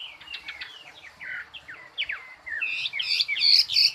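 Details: Bird singing a varied series of short whistled and slurred notes, mid to high pitched, building near the end into louder, higher, rapidly repeated phrases; faint background hiss.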